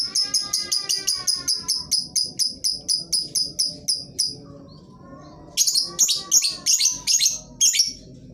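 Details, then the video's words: Lovebird song used as a lure to prompt reluctant birds to sing: a fast run of sharp, high chirps at an even pace for about four seconds, a short pause, then a burst of harsher, rattling chirps. "Lovebird jenis apapun dijamin pasti ikut bunyi, pancingan ampuh bagi burung yang malas bunyi"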